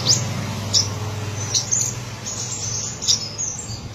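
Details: Black-breasted olive-backed sunbird, subspecies buruensis of Buru, Maluku, singing trotolan style: sparse, faint, very high thin whistles and sharp upward flicks spaced about a second apart over a steady low hum.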